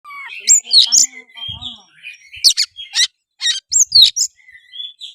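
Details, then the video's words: Oriental magpie-robin singing vigorously in gacor style, used as a lure to provoke another bird into singing, fighting and spreading its tail; high whistled slurs mixed with harsh buzzy bursts, some soft low knocking underneath. "suara kacer gacor pancingan kacer susah on pasti langsung on tarung buka ekor"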